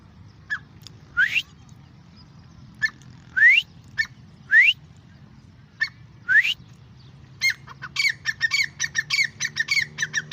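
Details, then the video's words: Grey francolin calling: a run of loud upslurred whistles about one second apart, with short clipped notes between, ending in a fast burst of rapid chattering notes; low background rumble throughout. "Gray Francolin ||gray Francolin sound|| irani teeter ki awaz"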